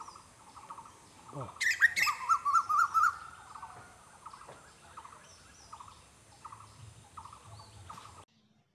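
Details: In a village, an Asian koel gives a loud burst of about six quick, rising ringing notes, while softer repeated chattering notes from other birds continue in the background.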